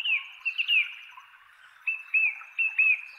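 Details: Male Song Thrush (Manu-kai-hua-rakau) giving its tree top call in a chestnut tree, inland Kapiti, New Zealand: a few short, clear arched whistles near one pitch, a phrase, a pause, then the notes repeated in quick succession.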